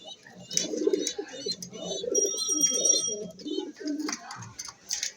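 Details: Racing pigeons kept indoors and sold together with their young; low, rolling coos come in overlapping bursts throughout, with high chirps and twitters from other birds above and a steady electronic tone in the middle.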